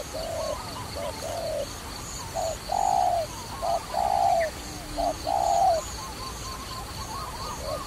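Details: Dove from a trapping scene giving soft short coos, then loud drawn-out falling coos that repeat roughly every second, quieter notes trailing off toward the end, faint high chirping behind.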